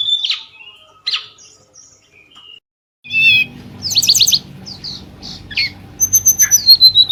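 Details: Night song of a forktail, played as a lure to set other birds calling: scattered short high notes, then a dense run of shrill chirps and sliding whistles over a steady low hum.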